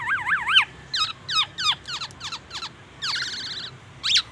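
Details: Black-naped oriole's imitation of an oriental magpie-robin and an ambulance siren: a wavering siren-like whistle, a few sharp slurred chips, a second undulating warble, and one final upward note.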